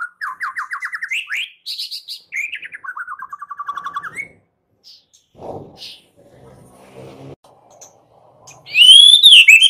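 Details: White-rumped shama song used as a morning lure to make shamas sing: rapid trilled bursts near mid pitch, a falling rattling series, brief low notes and a loud high whistled phrase at the end.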